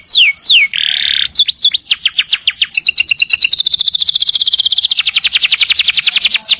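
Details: Canary singing a long roll used for tutoring other birds: steep descending whistles, a brief buzzy note, then a fast, even trill of rapid pulses that slowly drops in pitch over several seconds.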